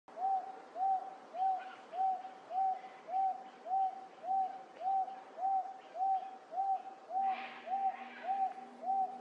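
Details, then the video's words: Wonga Pigeon recorded up close in late July 2024 at Wentworth Falls in the Blue Mountains, NSW, Australia: a long, steady series of mellow, slightly arched hooting notes, about sixteen in nine seconds, evenly spaced, with faint higher bird chatter behind. "Wonga Pigeon calling"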